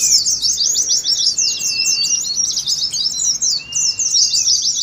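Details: Oriental white-eyes (pleci) in ngeriwik mode for contest-simulation training: fast, crowded, high chirping throughout, with two drawn-out level whistles beneath the twitter.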